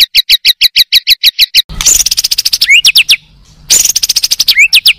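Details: Competition Oriental magpie-robin singing: a row of crisp double-toned pulses, then dense buzzy trills cut by upward-sweeping whistles, the trill-and-sweep phrase returning after a short pause.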